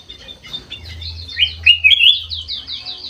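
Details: Aviary golden-fronted leafbird (kutilang emas mata putih) singing a short sequence: rising whistled slurs followed by a row of quick repeated chirping notes, over a low steady hum.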